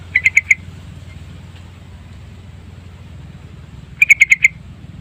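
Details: Lure song of a yellow-vented bulbul: a short phrase of four ringing chirps, silence for about three seconds, then five more clipped notes in a fast even series over a low hum.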